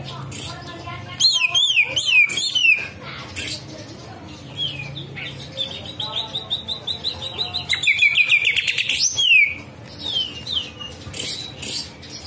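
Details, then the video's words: Green leafbird singing, with its song filled with the kapas tembak style: loud high whistled phrases, sharply up-and-down sweeping notes and fast rattling trills, broken by brief pauses and faint low background hum. "CUCAK IJO NGELUARIN ISIAN KAPAS TEMBAK"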